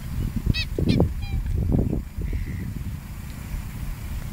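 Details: Two or three brief, nasal bugling notes from a black swan at Burswood Park, Perth, Western Australia ring out early, over steady low rumbling wind or handling noise.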